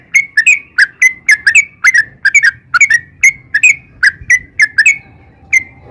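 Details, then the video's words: Sooty-headed bulbul delivering gacor song: paired and tripled whistled notes, each bright and slurred, repeated about twice per second, the series ending on a single drawn-out note over a quiet low murmur. "trucukan gacor ROPEL PANJANG"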